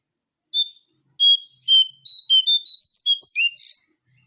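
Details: Jongkangan coklat bird lure call, opening with three spaced single whistles, then a fast string of short clear whistled notes that step up and down before ending in a brief burry flourish; nothing else heard.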